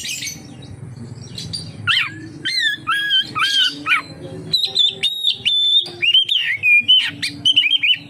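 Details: Oriental magpie-robin singing to lure others: after a quiet start, paired rising-falling whistles, then a run of sharp high notes and wavering whistled phrases, low hum behind.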